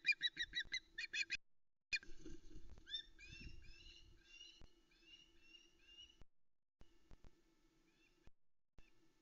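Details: A female osprey on the Loch Arkaig nest, Scotland, gives fast runs of sharp, high chips, then rising whistled yelps about twice a second as the male arrives with a live mackerel, early afternoon of 26 Aug 2020; low hum and thumps.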